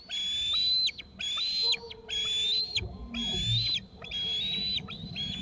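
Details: Two eaglets perched off the nest in a tree, both screeping after an adult brought food: long, steady, high whistled notes ending in a downward slide, repeated roughly once a second, with low rumbling noise beneath.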